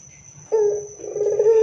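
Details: Lure song of a loud Barbary dove: after a quiet start, a short hollow coo rises in, followed by a vibrating rolling note that swells toward the end. A faint high whine sits behind it.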